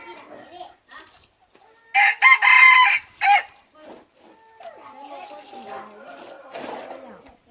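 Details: Decoy red junglefowl cock from Xaysomboun, praised for a loud, clear voice, giving one harsh, harmonic-rich crow lasting about one and a half seconds in several bursts, with people talking quietly before and after.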